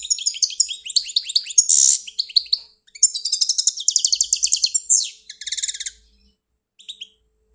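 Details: European goldfinch from Algeria singing a rapid, busy twittering song of high tinkling notes, trills and buzzy rattles, with a short break near three seconds before another burst of fast repeated notes.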